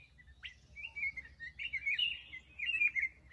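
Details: Black-crested bulbul in captivity giving a sharp upward note then a continuous fluttering, warbled phrase that wavers between higher and lower notes, over a faint hum.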